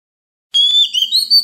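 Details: Oriental magpie-robin in wild-style voice, used as a training recording for young birds: a sustained, clear whistled phrase of about one second, wavering between steady tones with a slight rise near the end, after brief silence.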